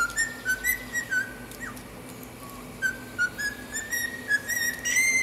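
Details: A cockatiel whistles tunes including the Brazilian national anthem, a "fiu-fiu" wolf whistle and a Star Wars theme, in clear, pure notes held and sliding between pitches, with short bright chirps at the end.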